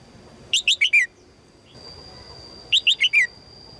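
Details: Female red-whiskered bulbul calling to attract a strong male: two quick sets of four sharp, descending chirps about two seconds apart, each set slightly lower by its end, with a steady thin high tone underneath.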